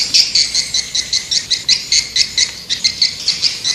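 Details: Steady train of high, buzzy swiftlet chirps, each short and evenly spaced about five per second, with little else heard.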